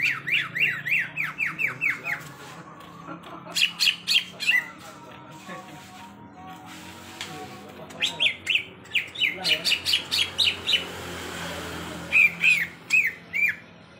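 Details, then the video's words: Greater green leafbird singing energetically (gacor hiper): bursts of quick, sharp chirped notes repeated several times a second, separated by short pauses, with a faint low hum underneath. "cucak ijo gacor hiper"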